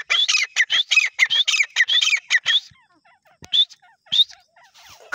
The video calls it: Desi Teetar ki awaz